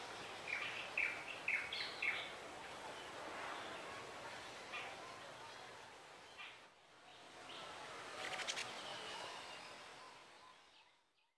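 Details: Black-naped monarch (Hypothymis azurea) at its nest, with male and female present, gives four or five short, sharp, high notes in quick succession, then falls quiet against a steady hiss.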